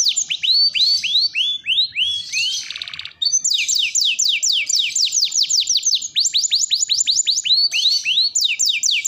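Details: Canary in full long song, played for canaries learning to sing; descending whistled notes repeated rapidly, broken by a brief buzzy rattle, then a faster even trill of sweeps.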